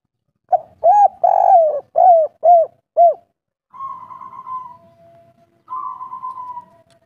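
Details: Local spotted dove singing in the kuk 3 style with a thick voice: a rapid run of about six deep, arched coos, the middle one drawn out, followed by two thin, wavering, higher trills in the background.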